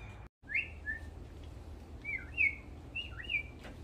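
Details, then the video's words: Woodpecker calls: a few short, bright, downslurred whistled chirps, given singly and in quick pairs over about three seconds, against a low steady background rumble. "WoodPecker Birds"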